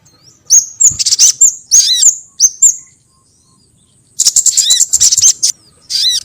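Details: Sogon bird calls used as a lure to attract sogon birds: bursts of very high, rapid chirps with descending whistled notes, separated by a silent pause near the middle.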